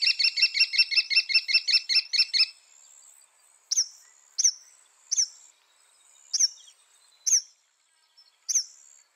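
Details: Northern mockingbird song opening with a rapid buzzy trill of doubled high notes, then a slower series of sharp, very high chips spaced about a second apart.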